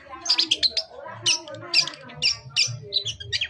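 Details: Long-tailed shrike lure song meant to provoke an answer: a dense, rapid run of scratchy chattering notes and short whistles with varied pitch, over low background rumble.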